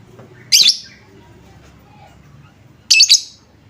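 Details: Lovebird lure recording meant to make other lovebirds answer at once: two short, harsh, high chattering chirp bursts about two seconds apart over a faint low hum.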